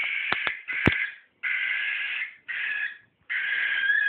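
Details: Cockatiel, apparently disliking green socks, gives four harsh, raspy screeches, each about a second long, with brief pauses between them; a few sharp clicks come at the start.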